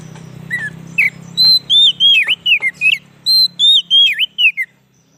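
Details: White-rumped shama song played as a lure for wild shamas: bright, sweet whistled phrases, several dipping then rising sharply, delivered in quick succession with short gaps, over a faint low hum.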